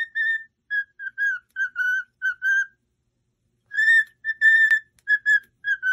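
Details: Whistled melody for training a pet cockatiel to sing: two phrases of clean, flute-like notes, short and held, separated by a pause of about a second.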